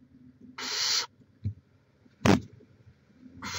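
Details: Barn owl at the nest in Chula Vista, California, 18 May 2017: a breathy hiss, a thump, a sharp click, then another hiss starting, irregularly spaced.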